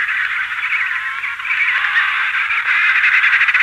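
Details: Emperor penguin colony at Cape C, adults and chicks calling with wing beating; a dense, continuous chorus of overlapping trumpeting and whistling calls, slightly hissy background, no pauses throughout.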